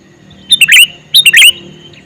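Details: Two loud, liquid three-note phrases from a calling male sooty-headed bulbul, spaced about half a second apart, each ending in a slurred note. A low hum lies beneath them.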